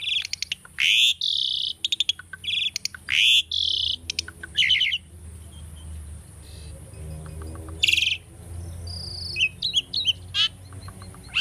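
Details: Asian starling kept as a tame pet, singing a training song: loud harsh buzzy bursts and rapid chattering notes crowd the first half, then quieter clicks and a few sharp whistled phrases follow.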